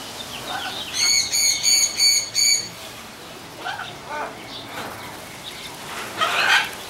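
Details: Aviary macaws captured with a Sony HDR-CX130 camcorder give five loud, evenly spaced grating notes in quick succession, followed by scattered quieter squawks and one harsh, louder cry near the close.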